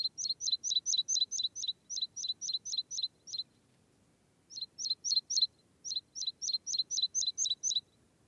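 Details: Meadow pipit singing in quick runs of thin, high, squeaky notes, each a flicked upslur followed by a lower tone; one series of about twelve, a pause, then two shorter runs.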